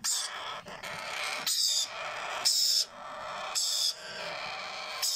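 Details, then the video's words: Sun conure and Yellow Ringneck parakeet chicks being hand-fed: a handful of loud, hoarse feeding screeches, each roughly half a second to a second long, some carrying a high whistled overtone. "hand feed of Sun conure and Yellow Ringneck chicks with original voice"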